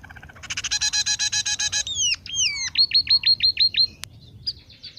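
A munia sings a rapid, harsh buzzy rattle of about a dozen notes, then slurred whistles and a quick run of high, falling chips.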